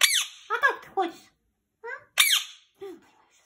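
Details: A pet talking rose-ringed parakeet speaks in high, squeaky, word-like bursts: a quick run of short phrases, a pause, then two more rasping phrases in a quiet room.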